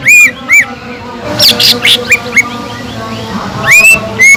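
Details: Energetic Sumatran leafbird song used to provoke leafbirds lacking fire; arched whistled notes, a burst of harsh high chatter, then more clear rising whistles.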